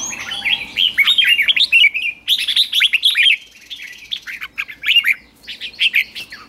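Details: A red-whiskered bulbul in a cage sings the ché style during morning training. Lively bubbling phrases of quick rising and falling whistles repeat in bursts separated by short gaps.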